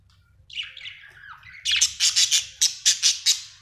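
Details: Happy budgerigar indoors: a soft, wavering warble slides downward, then breaks into a fast run of loud, sharp, high chirps, about eight bursts in two seconds.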